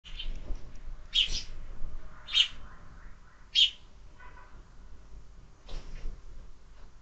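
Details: Sparrows at a window-mounted feeder where birds are fed year-round give three clear, sharp chirps about a second apart, then fainter softer chirps, over a low background hum.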